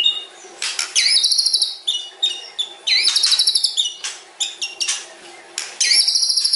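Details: Caged white-rumped shama of the stone type singing long varied phrases: high buzzy rattles, rising whistles and sharp clicking bursts, fast and irregular, loud and close, with a low background hum.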